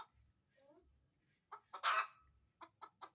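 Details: Chicken giving one loud, harsh, drawn-out squawk set between short clucks, with a few faint, softer notes before it.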